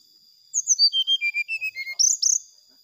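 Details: Brown-chested jungle flycatcher, a lure song to rouse rival birds: clear slurred whistles sliding down step by step, followed by quick bright high trills, with a thin constant tone behind.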